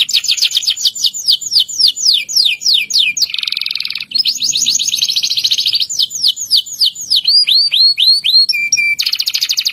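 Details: Local canary pouring out a long rolling song to draw other canaries into singing: rapid downswept notes in quick runs, interrupted by dense buzzy rattles, ending with slurred whistles and a brief trill.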